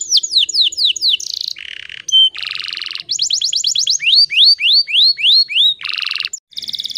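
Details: Female canary lure song, in breeding condition, Indonesia, to trigger males into singing: alternating bursts of falling chirps and harsh buzzy rolls, with rising whistled sweeps in the middle, tumbling along at a quick pace.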